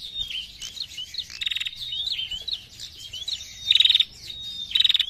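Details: A female prenjak (prinia) calling actively in narung style: three harsh, buzzy rattled bursts around high pitch, separated by thin twittering whistles and short chirps.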